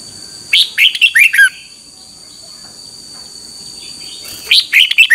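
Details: Red-whiskered bulbul giving its 2021 morning song, meant to coach other birds: a warbled phrase of downward-sweeping notes, a pause, then another cheerful burst beginning, over a steady high hum.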